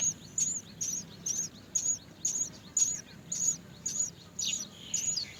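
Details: Many Great myna young waiting for food from their mother repeat a high, thin squeal at a steady rhythm of roughly two per second over a low background hum.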